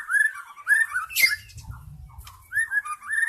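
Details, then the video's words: Forest white-rumped shama used as a lure for wild birds: short rich whistled phrases rising and falling, separated by pauses, with a harsh burst and a low rumbling noise in the middle. "SUARA PIKAT MURAI BATU ASLI HUTAN"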